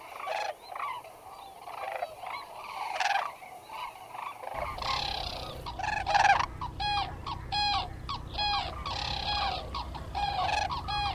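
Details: A flock of White-naped cranes, feeding in fields by Junam Reservoir, South Korea, and flying overhead, give loud, harsh trumpeting calls that overlap in quick succession over a steady low rumble.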